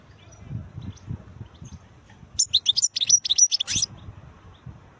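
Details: Wild European goldfinch singing: a quick burst of bright, tinkling, twittering notes lasting about a second and a half midway, with faint low rumble beneath and quiet stretches before and after.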